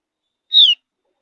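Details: A single clear whistle from a Javan grey-throated white-eye, a bird of high mountain forest, used to coax other birds to sing. The short note slides downward and stands alone in silence.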